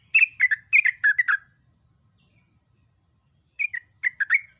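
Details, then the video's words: Yellow-vented bulbul giving a loud, long rapid-fire song of the ropel style, used for training birds: two bursts of short bubbly chirps falling in pitch, with a quiet pause of over two seconds between them. Faint low rumble underneath. "MASTERAN BURUNG TRUCUK SUPER GACOR"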